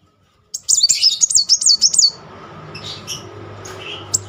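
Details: Sunbird in full, rolling song, used as a lure to stir a silent bird into singing: a rapid run of very high, thin, wavering notes lasting about one and a half seconds, then faint chirps over low background hum.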